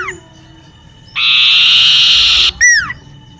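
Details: Common iora singing in a garden near a home: a long harsh buzzy rasp, then a quick run of clear whistled notes that slide steeply downward. Faint background hiss.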